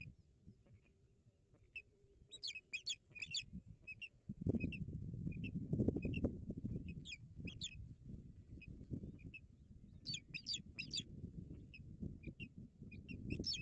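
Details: Agitated osprey calls at a Barlinek Forest nest on 17 April 2022 while an intruding osprey visits: bursts of harsh, rapid, high whistled notes in clusters, pausing and resuming, over low rumbling noise.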